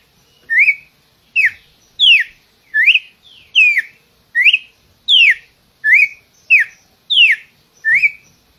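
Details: Red-cowled cardinal singing: clear whistled phrases, each a quick slurred note sweeping down then rising, about eleven phrases in under nine seconds, delivered at a steady rhythm with brief silent gaps and no other sounds.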